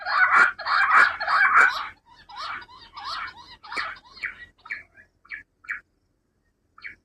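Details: Rock bush quail calling, a recording used to lure birds for hunting: loud, harsh, rasping notes repeated roughly every half second, then softer, shorter chips that thin out and fade.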